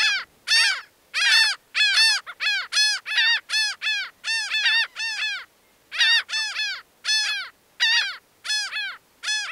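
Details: Laughing gull giving loud, nasal, harmonic-rich notes in quick laughing series, each note arched and slightly downslurred, delivered in bursts of five to eight with short pauses; no other sounds, quiet background.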